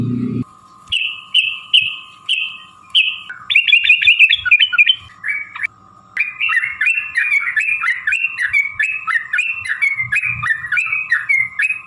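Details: Long 'ropel' fighting song of the yellow-vented bulbul (trucuk), played as a lure to make birds sing. Evenly spaced downslurred whistles lead into a fast chattering burst, then a long string of quick rolling phrases over a faint steady tone.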